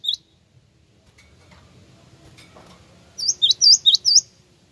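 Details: Java sparrow lure call used to draw replies: one sharp high chirp at the start, a long quiet gap with faint low hum, then a quick run of five bright, upward-flicking chirps near the end.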